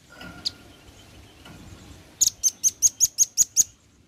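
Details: Male velvet-fronted nuthatch, loud and active, calling to its companions: after a quiet start, a quick run of eight sharp, high, chipping notes, evenly spaced about five per second, with faint background hiss.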